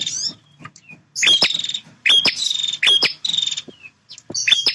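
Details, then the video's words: Male bar-winged prinia, a bird that fights to hold its feeding and nesting ground, singing vigorously: buzzy trilled phrases with a sharp whistle, three close bursts and a faint low hum behind. "Suara Prenjak Jantan Super Gacor"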